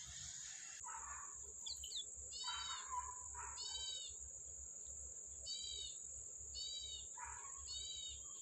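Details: Wild yellow-bellied prinia feeding its young: clear, mewing, downslurred high notes in short stacked groups about once a second, mixed with lower rasping bursts, over a constant shrill background drone.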